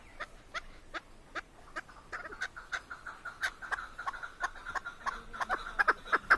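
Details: Keklik, a female hunting Chukar partridge in Tajikistan, gives spaced, clipped clucks that grow quicker and louder toward the end, over a faint steady background hum.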